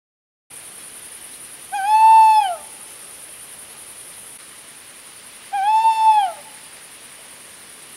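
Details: Male tawny owl giving its powerful song. Two drawn-out hoots come about four seconds apart, each swelling slightly and then sliding down at the end, over a steady high-pitched hiss.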